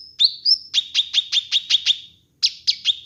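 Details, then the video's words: Training and lure recording of a kinoi bird. Two drawn-out thin whistles open the phrase, followed by a quick string of sharp, emphatic chirps. After a short break, the chirps resume. "Masteran Dan Pancingan Burung Kinoi"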